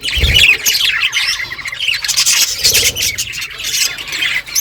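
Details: Budgerigars chattering as a flock in the morning: harsh squawks and chirps layered over constant warbling, with a brief low thump at the start.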